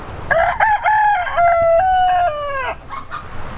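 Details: Crowing rooster gives a single drawn-out cock-a-doodle-doo with stepped pitch changes, held for over two seconds before dropping away. Faint shorter notes trail after it.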